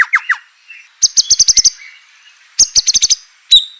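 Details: White-rumped shama song, played to provoke other shamas to sing: a few downslurred whistled notes, then two bursts of rapid high chattering clicks and a final sharp note.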